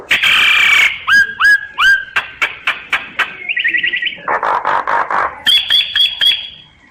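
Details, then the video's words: Common myna song, a varied medley: a loud harsh rasp, then several clear whistles sliding down, sharp clicks, a fast rattling trill and a series of gurgling chuckles ending in a steady high whistle. "Tiếng chim sáo, sáo nghệ hót chuẩn"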